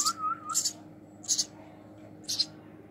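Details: Hand-fed house sparrow chick giving four loud, scratchy high squeaks spaced under a second apart, after a brief warbling human whistle at the start.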